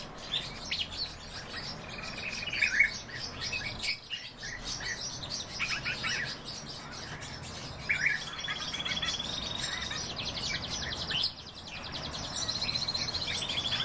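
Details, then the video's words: Pine grosbeaks, a breeding pair, calling with brief chirps and a few longer clear whistled notes, held level, scattered irregularly over fourteen seconds against a faint background hum. "Pinicola enucleator-ЩУРЫ"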